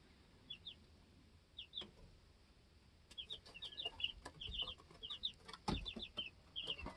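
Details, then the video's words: Homestead baby chickens two weeks old; a few isolated high peeps, then a lively cluster of rapid peeping alongside pecking clicks and a brief rustle. "2 Week Old Baby Chicks Being Baby Chicks Super Cute And No Talking!"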